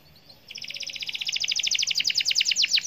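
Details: Domestic canary singing in the lively gacor style: after half a second of quiet, a fast trill of about twenty high, bright chirps that grow louder toward the end.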